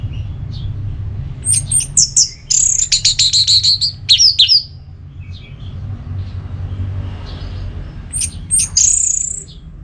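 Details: Orange-headed thrush in ngeplong song style, meant to prompt another bird into song: high whistled phrases, then a fast run of about a dozen sharp repeated notes, a short pause, and further whistles, with a low rumbling hum behind.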